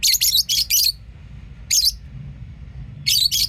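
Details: Lovebirds chirping and singing: a rapid run of four shrill, scratchy high chirps, a single chirp a second later, then another double burst, over soft low background hum.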